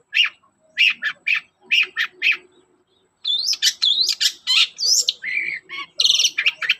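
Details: Long-tailed shrike singing in the morning, used to draw song from other shrikes: several harsh, clipped notes, a short silence, then a lively run of rising sweeping whistles, chatters and rasping notes.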